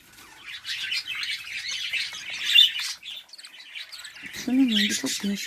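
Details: Several home-bred budgerigars from a hobby breeding flock give busy, scratchy chirping and warbled twitter throughout. A short spoken phrase comes near the end.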